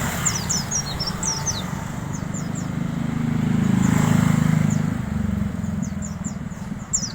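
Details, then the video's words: Wild Oriental white-eye sings in the fine twittering style called ngalas bablas riwik halus. It gives very high, thin, quick falling notes in short clusters over a loud, steady low engine rumble. "kicau pleci ngalas bablas riwik halus"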